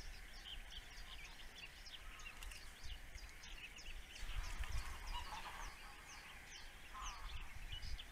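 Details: Male osprey, an attentive father at the nest, filmed by nest webcam: rapid thin downslurred chirps repeated throughout against a hissing, rumbling background.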